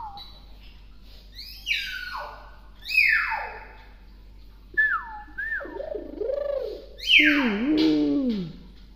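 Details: Clever, tame hill myna that mimics many words produces a varied series of sharp downward-sweeping whistles, wavering looped notes and a final descending slur, indoors with a faint background hum.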